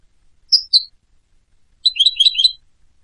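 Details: European goldfinch: two separate slurred high whistles, then after a pause a jumbled burst of twittering, tinkling notes lasting under a second. No other sounds.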